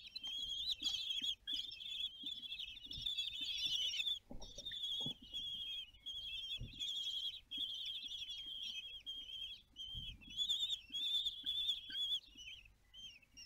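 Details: A common kestrel family at a nest in Théding, France, on 20 June 2022 during a balcony meal (feeding). Shrill, high, trilling calls come almost without pause, several voices overlap, with soft low thumps and scuffling beneath.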